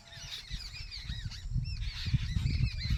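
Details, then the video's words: Birds in a village calling together, a busy flock of short curved squawks and chattering notes over strong low rumbling noise and faint voices. "village bird real sound"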